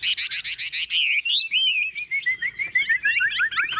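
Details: Tame caged Chinese hwamei, its cage being shaken to show tameness; it opens with about eight fast, harsh repeated notes, then pours out loud, clear whistles sliding up and down in a varied, tumbling phrase.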